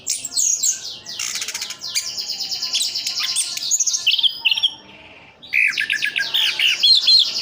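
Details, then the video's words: Caged Orange-headed thrush, East Java, pouring out a continuous chattering song of rapid trills and twittering notes, a brief quiet spell, then a fresh burst of quick varied phrases. "Anis kembang "Anti Gempa". Rooll full"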